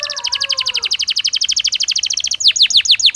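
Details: Belgian canary singing naturally, recorded as a daily training stimulus; a fast rattling trill of high repeated notes over fading low whistles, then loud sweeping descending notes given about five per second.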